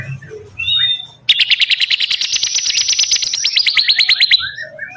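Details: Bar-winged prinia song: a fast trill of sharp high notes, about a dozen per second, held for roughly three seconds, preceded and followed by a few short thin chirps.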